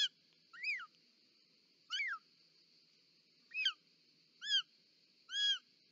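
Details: Short-toed snake eagle, a female arriving at the nest to deliver a snake, Parc Natural dels Ports, Catalonia, Spain, 18 July 2024; six clear whistled, arched calls with rich overtones, spaced irregularly about one per second, over a steady high hiss.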